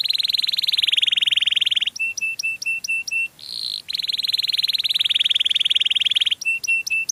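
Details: Canary song used as a lure for other canaries: long buzzy rolling trills, each followed by a short series of clear repeated whistled notes.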